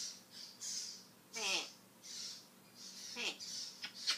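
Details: Talking African grey parrot sharing mimicked words: two quick speech-like harmonic sweeps about two seconds apart, plus brief clicks, amid a steady pattern of soft hissing bursts indoors.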